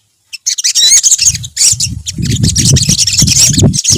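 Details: After a moment of silence, a group of olive-backed sunbirds bursts into sharp, high chirps and twittering trills. Loud low thumping and rumbling noises run through most of the recording.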